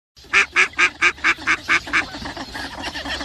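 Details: Mallard, known locally as al-batt al-khadari: a run of eight loud, harsh, nasal quacks at about four per second. The quacks weaken slightly toward the end and trail into fainter quacking.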